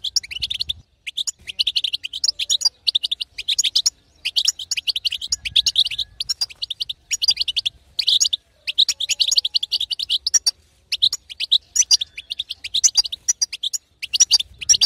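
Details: Female European goldfinch twittering to arouse a male to song, continuous long series of fast tinkling chirps in bursts separated by short regular gaps.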